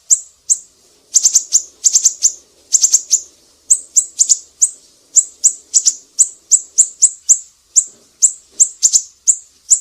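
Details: Black-naped Monarch calling energetically, used as tutor audio for songbirds: very high, sharp chirps in rapid runs of two to four, then steadier single notes roughly every third of a second, over a quiet background.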